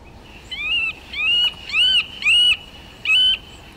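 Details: Eurasian nuthatch calling: five loud, clear, arched whistled notes, each rising then falling, spaced roughly half a second to a second apart against a quiet background.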